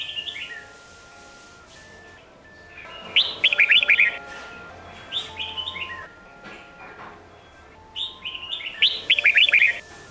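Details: Competition-training song of a Sông Kôn red-whiskered bulbul for teaching young birds: several energetic phrases of rapid, chattering whistles, about one every two to three seconds, with a constant faint tone in the background.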